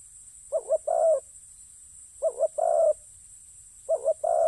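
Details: A spotted dove kept as a ground decoy calls three times. Each call is a rapid two-part coo, then a longer, fuller croo, with pauses of about 1.5 seconds between phrases. The background is quiet.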